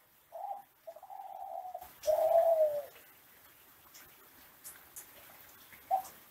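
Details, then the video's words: A captive Barbary (ringneck) dove of the Kelantan classic type gives low, hollow coos: two short humming notes, then a long, loud rolling coo lasting about a second, with faint room noise. "Suara Gacoran Derkuku Tekukur"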